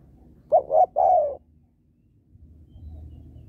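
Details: Spotted dove female coaxing males with a three-part coo: two brief rounded notes, then a longer smooth falling note, followed by a quiet low background.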